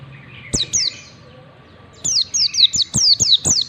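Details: Used to train white-eyes to sing ngalas, this song opens with two sharp, high, downslurred notes, goes quiet for over a second, then rattles off a brisk series of about seven falling thin whistles with clicks.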